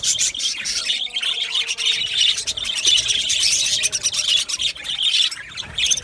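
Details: Aviary flock of Australian budgerigars chattering nonstop, a steady wash of thin high chirps, warbles and squeaks with no pause.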